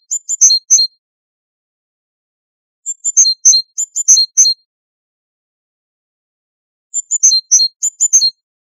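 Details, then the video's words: Great tit song on a tutoring recording for teaching captive great tits and goldfinches the Wedani singing style: short bursts of high, bright, chirping notes in quick clusters, separated by silent gaps of about two seconds. "تغريد طائر الحداد ( القرقف"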